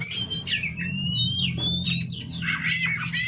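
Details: White-rumped shama from a captive breeding stock, pouring out long clear whistled slurs mixed with quick twittering phrases and a few sharp rising notes, backed by a constant low mechanical hum.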